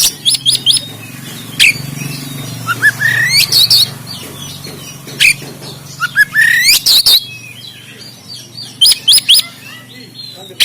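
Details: Caged oriental magpie-robin from Banten, recorded by Android phone, in a harsh, rough singing style meant to push lazy birds to sing and fan the tail: scattered loud rasping calls, rising whistled slurs and clicks over a steady low hum.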